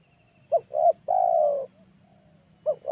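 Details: Cooing of a trained spotted dove, recorded for luring birds at home: a brief hoot, a second swelling hoot and a long steady low coo, then a pause before the next phrase begins.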